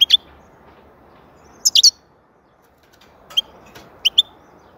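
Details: European goldfinch giving short, bright, high chirps: a quick pair at the start, a tight burst of three near two seconds, then scattered single and double notes, over soft background hiss.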